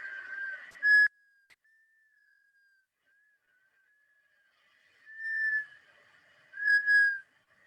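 Black Scoter giving plaintive, mellow whistles near one pitch, three clear notes with softer drawn-out whistling between, in a quiet setting.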